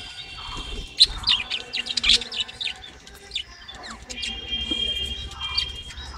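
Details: Breeding-colony budgerigars chirp and warble in fast, high, clustered notes with a few loud squeaks, then quieter chattering and a drawn-out whistled tone near the end.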